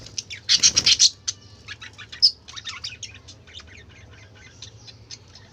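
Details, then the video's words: Budgerigar chatter: a rapid string of loud high chirps at the start, then quieter fast ticking and warbling notes trailing off, over a low background hum. "বাজিগর পাখির ডাক"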